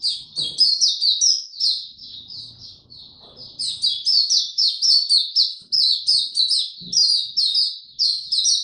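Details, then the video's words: Oriental white-eye delivering tiong aw song on 25 January 2022, having slept late the previous night: long strings of shrill, slurred chirps in rapid succession, a brief softer pause midway, faint low thumps in the background. "Mata Puteh Hercules V2 buka tiong aw sing"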